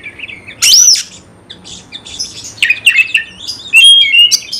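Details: Oriental magpie-robin, caged, whose song is played to provoke fighting; a loud looping whistle, then scattered chatter and clear sustained whistled notes near the end.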